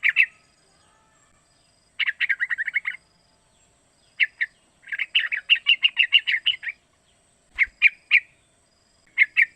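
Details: Young sooty-headed bulbul, three months old, calling as a lure to make other bulbuls sing: rapid chattering runs of many bright chirps alternating with short pairs of notes and brief silences.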